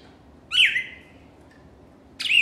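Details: Cardinal delivering a loud, harsh descending note that trails off, then a second similar phrase begins after a pause.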